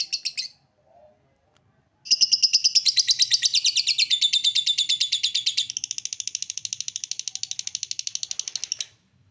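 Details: Lovebird ngekek, a chattering song used to draw young or flock-kept lovebirds into ngekek. A brief burst, a pause, then a loud seven-second rattling trill that turns thinner and more even halfway through.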